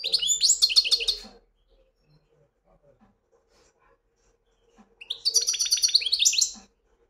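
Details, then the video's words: European goldfinch singing in two bright, fast twittering bursts of high, tinkling notes separated by a pause of about three and a half seconds, with a faint low hum underneath. "مقنين ويداني"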